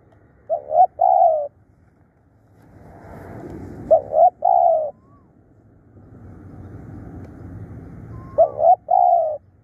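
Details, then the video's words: Decoy spotted dove calling hard and tirelessly, giving three paired phrases, each a brief coo then a longer downslurred coo, spaced about three to four seconds apart over low background rumble. "เสียงต่อนกเขาใหญ่ ดุดัน ขยันเรียก"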